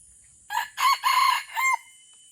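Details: Aceh red junglefowl kept as a decoy for luring wild birds, crowing once in four parts: a short note, a rising strained note, a long rough note and a brief dropping tail.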